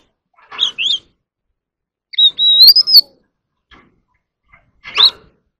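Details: Competing in song, an ornamental Oriental magpie-robin sings and dances: a pair of rising whistles, a pause, a long sustained whistled phrase, then a single harsher rising note after a gap.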